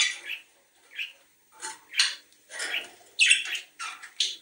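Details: Budgerigar calls for breeding stimulation: a series of short raspy chirps and squawks, spaced at first and then more crowded, some sharper and louder near the end.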